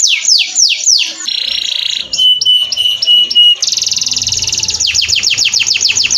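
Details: Canary song used as a training recording: rapid downward-sweeping notes, then a buzzy steady phrase, clipped high whistled notes over a lower tone, a dense rattling trill, and fast repeated descending swoops.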